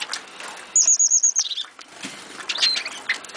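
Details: Captive Eurasian siskins in a home aviary: a thin, very high trill of rapid repeated notes, then a short lower buzzy phrase and scattered high chirps, with faint clicking and rustling behind.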